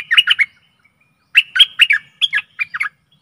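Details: Stripe-throated bulbul lure recording from 12 December 2021, meant for aggressive wild birds: four quick bubbly phrases of two or three liquid, slurred notes, spaced about a second apart against a quiet background.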